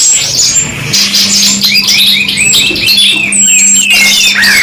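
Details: Master-style '2 in 1' recording of canary song: a run of repeated arched, slurred notes amid busy high twittering, with a steady low hum through most of it.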